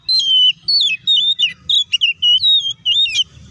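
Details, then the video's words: Oriental magpie-robin song used as a lure to provoke a bird into responding aggressively and singing quickly: a loud run of clear, slurred whistled phrases, several dipping downward, about nine bursts in under four seconds, over a faint low hum. "PANCINGAN SUARA KACER AGAR CEPAT RESPON DAN CEPAT BUNYI AUTO EMOSI!"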